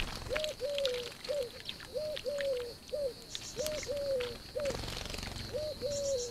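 A wood pigeon gives soft, low hooting coos in a lilting short-long rhythm, phrase after phrase, over a steady high insect-like hum.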